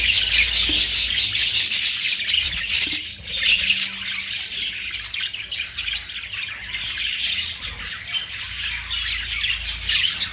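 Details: A dense flock sound of budgerigars, Australian parrots, loud at the start, with rapid scratchy chirps and squawks overlapping, easing slightly then continuing steadily.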